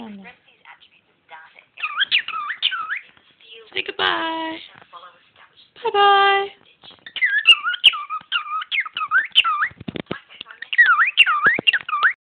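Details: Pet cockatiel chattering over a lecture: a string of clear whistled notes that rise and fall in quick repeated loops, broken by two harsh, harmonic squawks near the middle, with soft speech and small knocks in the room.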